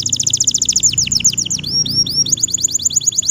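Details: Bottle-green canary singing vigorously, offered as a tutor song for young canaries learning to sing: rapid, high, buzzy downward-sweeping notes in quick succession, then a few looping upslurred whistles, then a fast chattering trill.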